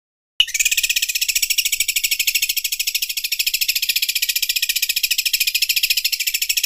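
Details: Greater green leafbird mimicking an overlock sewing machine: after a brief silence and a sharp onset note, a continuous rapid high-pitched pulsed buzz runs steadily to the end.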